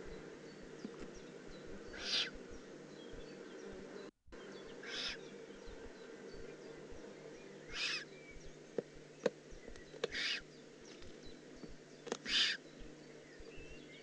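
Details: Juvenile Eurasian eagle-owl recorded in the Eifel on 18 June 2016, repeating a short breathy hiss five times at intervals of two to three seconds, with faint clicks and a brief dropout between calls.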